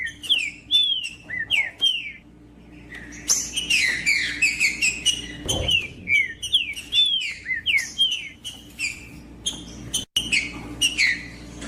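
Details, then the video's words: Green-winged saltator song played to warm up and stimulate another caged saltator: bright whistled phrases with slurred, falling notes around a steady pitch, several bursts in close succession, dense overlapping chirps midway, steady low hum beneath. "Trinca-ferro Macheando com Trinca ferro cantando Para Esquentar Trinca ferro"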